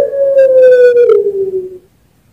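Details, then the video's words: A champion Pelung-type collared dove at a bird farm in Sragen, Central Java, gives one long coo sliding slowly downward over nearly two seconds before fading. "Suara Puter Pelung Juara (Masteran & Pancingan)"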